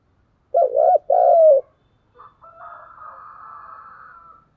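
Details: Dueling spotted dove coo of the 'thúc gù' style. A low double-humped note and a long descending coo, followed by a softer, higher, drawn-out buzzy sound trailing for about two seconds.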